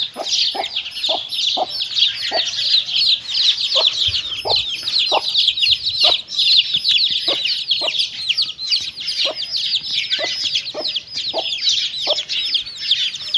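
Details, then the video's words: A hen and her chicks eating together, the hen giving soft, low clucks at an irregular, steady pace throughout while many chicks peep shrilly and continuously overhead. "Chickens and chicks eating sound"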